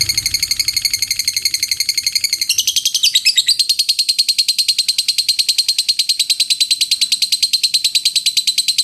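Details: Lovebird delivering a long ngekek: a continuous high, buzzy rattle that briefly breaks into a jumbled flourish, then settles into an even, rapid trill to the end.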